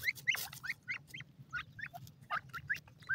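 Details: Grey francolin chicks giving short, rising chirps and peeps in quick succession, several overlapping, with a low steady hum beneath.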